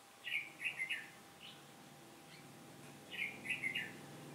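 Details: Lure red-whiskered bulbul singing to attract wild birds into a trap on a windy day, 15 October 2017; two matching bubbly, warbled phrases about three seconds apart, each of several quick rolling notes, with soft faint notes between.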